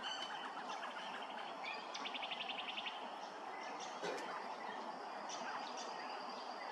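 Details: Grey-crowned Babbler at Hervey Bay, Queensland, giving a rapid series of about eight sharp, even notes, with scattered chirps and whistles over a steady bed of background noise.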